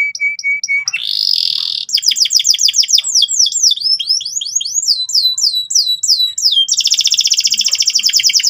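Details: Canary singing loud, persistent gacor song so young canaries quickly learn to ngeriwik: steady paired whistled notes, a buzzy burst, a run of fast downward-sweeping notes, then a dense rapid trill to the end.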